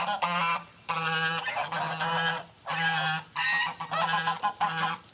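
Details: Domestic geese on a farm sanctuary honking loudly in the morning as they are let out of the small barn where they sleep, running, flapping and preening; a series of harsh, nasal honks in overlapping bursts with short pauses between.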